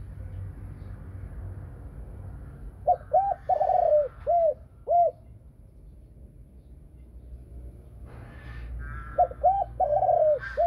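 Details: A female Thai Spotted dove gives two bouts of deep, mellow cooing, each a quick run of four or five hollow notes, separated by a pause over a low background hum.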